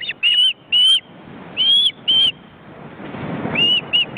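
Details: Ospreys at a nest in an Estonian forest reserve, where well-grown chicks flap their wings. A few longer, drawn-out, upslurred whistles in small groups, over a steady rushing background noise.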